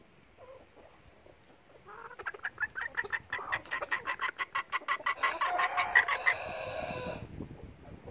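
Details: A bantam-mix hen, loud enough to be heard from far away, sings before laying while still searching for a nest site: a rapid run of clucks, about three a second, building into a louder, drawn-out cackle before fading.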